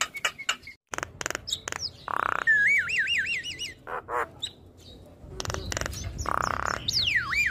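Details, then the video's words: Black-winged starling singing in a gacor style, head-nodding, after being stressed and reluctant to sing: harsh broadband rasps and clicks mixed with wavering, looping whistles around mid pitch and a steep descending whistle near the end. "Suara Khas Jalak Kebo Gacor"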